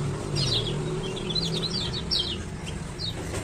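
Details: Lombok male Lemon-bellied White-eye, ciak-ciak lure calls meant to coax quiet birds into song: a few short, high descending chirps in a brief cluster, then a single later note, over steady low hum.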